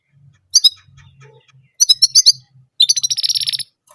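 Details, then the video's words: Orange German canary singing one sound: a couple of bright high chirps, a quick run of four sharp notes, then a rapid, even, high trill of about a dozen pulses, with faint low rustling throughout. "Orange German Canary Singing Only One Sound Of Singing"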